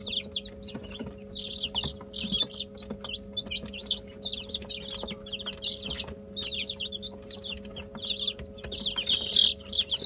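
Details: Brahma chicks eating a mash of boiled egg, bulgur and olive oil: a dense chorus of high, thin peeps from many chicks, overlapping continuously, with pecking taps and a steady electrical hum below.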